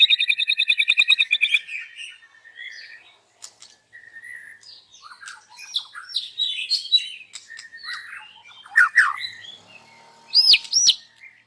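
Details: White-rumped shama in loud morning voice, unloading its isian fill-ins: a quick pulsed trill opens, followed by softer scattered chirps, warbles and squeaky notes, ending in sharp high rising whistles.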